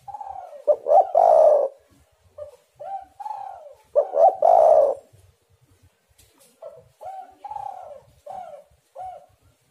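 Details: Spotted dove lure call used to provoke other doves into calling. Low, hollow cooing phrases come in groups: two long, loud, rolling coos near the start and middle, then a run of shorter, softer coos repeated about every half second.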